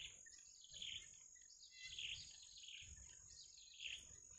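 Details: Hungry wild bittern chicks begging as they wait for the mother to bring food: a few scratchy high chirps spaced about a second apart over a constant thin high hum.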